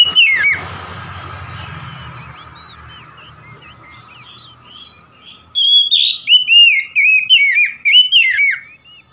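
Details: Oriental magpie-robin song: a short loud phrase, a long quiet spell with soft twitters and hiss, then a lively series of loud, looping whistled notes repeated in quick succession.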